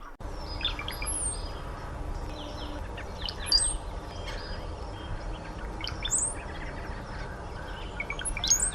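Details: Brown-headed cowbird at Somenos Marsh, Vancouver Island, British Columbia: gurgling, waterfall-like notes ending in thin, very high sliding whistles, repeated every two to three seconds over a steady low rumble and faint chirps.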